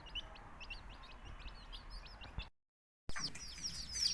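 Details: Baby country chicks peeping in a quick series of high thin notes, then a brief silent cut, followed by louder, brighter chirps.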